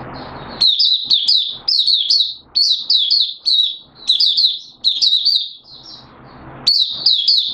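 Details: Malaysian mata puteh, an Oriental white-eye, 'buka' open song, recorded in Singapore on 29 March 2023 amid warm humid weather: dense high-pitched chattering phrases of quick descending notes, pausing briefly before resuming.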